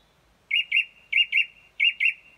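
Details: Song thrush singing outside a bedroom in early morning, recorded around 4:30 am at dawn: a short, clear, whistled double note repeated three times at an even pace, nothing else heard.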